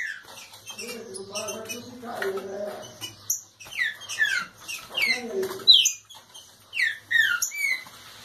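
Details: Green-winged saltator of the raiz line warming up into its aggressive song: clusters of short, sharply descending whistled notes, some overlapping, with a low murmuring voice-like sound under the first three seconds.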